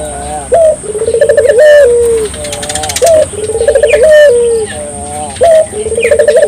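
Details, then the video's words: Barbary dove singing to stimulate local doves: each phrase opens with a sharp emphatic note, runs into a bubbling, pulsing coo, and ends in a sustained lower note, repeated several times over high chirps from other birds. "suara burung puter gacor,merangsang burung puter lokal ikut gacor"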